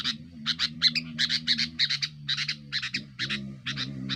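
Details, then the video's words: Aggressive rival-pressuring song of a sooty-headed bulbul, used to lure wild bulbuls in forest: a rapid run of rasping, scratchy notes repeated several times a second, over a continuous low droning hum. "suara burung kutilang gacor"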